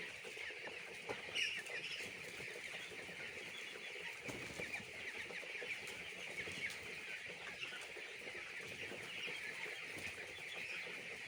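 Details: Poultry farm chicks keep up a steady wall of shrill peeping, countless short high notes blending into one constant chatter throughout.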